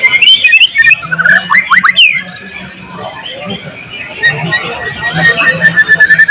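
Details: Actively singing white-rumped shama, tutor recording with filled-in imitations of other species: loud rapid slurred whistles for two seconds, then softer scratchy twittering and a closing run of sharp notes, with a low hum underneath.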